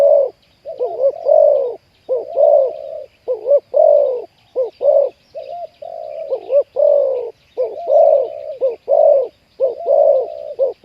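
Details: Spotted doves cooing during trapping of wild birds with a decoy; the captured bird has a deep 'ku-ang' voice. Dense runs of rounded, hollow coos, paired and overlapping, almost unbroken, over a thin high insect drone.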